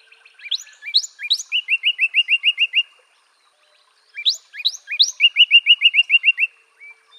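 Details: Two phrases of song from a northern cardinal. Each phrase has a few upward-slurred whistles, then a steady string of about seven clear repeated notes. A brief pause separates them.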